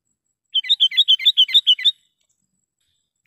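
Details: Sooty-headed bulbul lure call used for trapping wild bulbuls: a quick run of about nine bright, even chirps, each dipping and rising, spaced about a seventh of a second apart, then silence ending in a short click.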